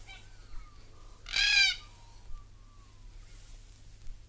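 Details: Sulphur-crested Cockatoo from Australia producing a single short, harsh, grating screech amid faint thin whistles from other birds in the background.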